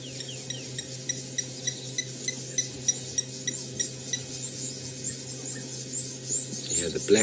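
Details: A Blacksmith Lapwing calls in the background during a morning game drive in Djuma Game Reserve, South Africa, on a warming 15 March 2018: sharp metallic 'tink' notes, about three a second, over a low engine hum.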